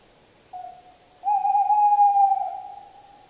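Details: A tawny owl sings a faint short hoot, then after a brief silence a sustained, wavering, hollow note that gradually dies away.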